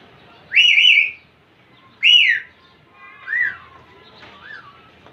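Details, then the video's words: A young male Indian ringneck parakeet trying to impress a female makes whistled calls: two strong, slurred, wavering whistles about a second and a half apart, followed by two softer, shorter falling whistles. "baby mail parrot impress female ringneck"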